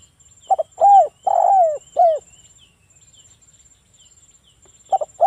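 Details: Local spotted dove cooing, used to lure other doves into calling: two quick soft notes, then two drawn-out mellow coos and a shorter one, a pause, and the phrase starting again; a thin steady high whine runs throughout.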